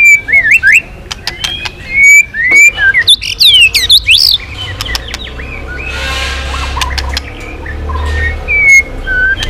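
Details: White-rumped shama singing long strings and switching voices while flicking its tail, provoked into intense singing: varied whistled phrases rising and falling, sharp clicks and fast sweeps. A low steady hum runs underneath.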